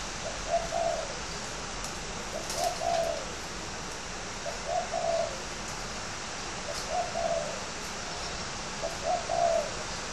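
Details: Contest spotted dove from a bird garden in Ba Vì, Hanoi, Vietnam: short low two- to three-note coo phrases repeated about every two seconds, with faint ticking sounds in the background.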